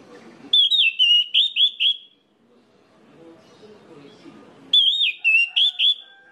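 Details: Orange-headed thrush song used to stimulate other orange-headed thrushes to sing: two bursts of rapid, clear whistled notes, about six each, with rising-falling slurs, separated by roughly two seconds of low murmuring background.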